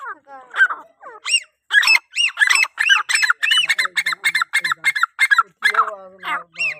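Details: Calling grey francolin, or teetar, used to bring other francolins in: dense, loud, repeated arched notes, harsh and ringing, tumbling quickly one after another for several seconds with a few softer lower notes underneath.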